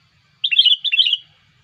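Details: Sooty-headed bulbul giving a lure call used to get other bulbuls singing: two short bubbling phrases of quick, chirpy warbled notes, each under half a second, over a quiet background.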